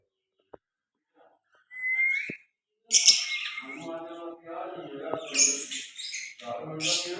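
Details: Talking baby parrot, a pet speaking Hindi, gives a rising whistle and then a long run of throaty, speech-like harmonic chatter mixed with shrill squawks.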